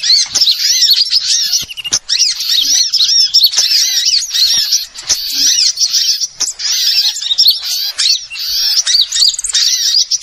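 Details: Bird-trapping lure of small birds calling together: continuous excited twittering of high arched chirps and scratchy notes, dense and nearly unbroken for ten seconds, with a few short lulls.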